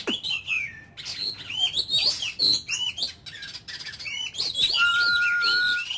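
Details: Ornamental Oriental magpie-robin singing in a daily firing-up ("kích lửa") training session. Dense, lively phrases of bright, slurred whistles and chirps fill the clip, ending with a long, level whistled tone.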